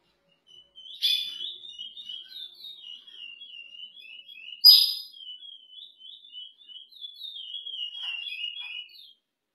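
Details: Curió kept for breeding and cross-pairing sings a long run of rapid warbled notes at a fairly steady high pitch. Two louder, sharper bursts come near the start and the middle, and the song fades toward the end.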